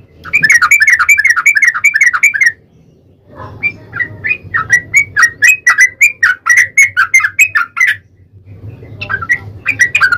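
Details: Yellow-vented bulbul (trucukan) pouring out long, rapid, bubbly chattering phrases in long bursts broken by brief pauses, over a low steady hum; the recording is meant as lure audio to prompt bulbuls to sing.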